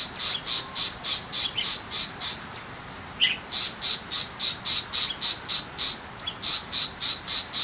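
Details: Tiger shrike in village countryside, small and non-mimicking. A continuous, evenly spaced chatter of harsh, rasping notes, close to four per second, pauses briefly midway where a short descending squeak is heard, then resumes.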